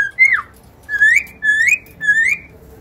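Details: Cockatiel singing: four clear whistled phrases, each a bright tone that rises and then bends or slides, roughly every half second, with quiet pauses between them in a small, quiet room.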